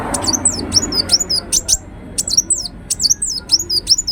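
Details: Ruby-cheeked sunbird, known in Indonesia as kolibri wulung, singing thin, very high chirps and quick downslurred squeaky notes in short bursts of two to four, repeated steadily, over faint low background noise.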